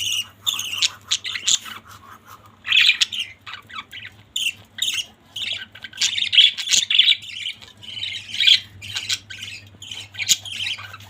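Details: Budgies in a family group chattering continuously: rapid, raspy chirps and warbled squawks, thin at first, then denser and louder midway, a faint low hum persisting throughout.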